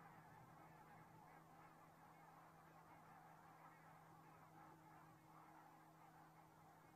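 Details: Geese heard in Estonia on 15 October 2017 at 8:45 make a softer, more distant wash of many overlapping honks. The honks blend into a steady murmur over a low, even hum.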